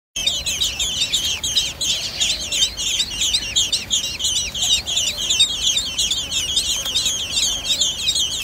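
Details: American robin nest during a hawk attack: dense, continuous high chirping from several birds, each note a quick rising-falling squeak repeated about three times per second, with a faint lower tone underneath.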